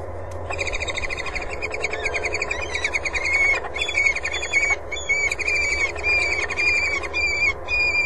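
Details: Peregrine falcons at their nest on the water tower in Axel, spring 2011: a steady, rapid stream of harmonic, chattering notes, with short bursts repeated almost twice a second and a faint low hum behind.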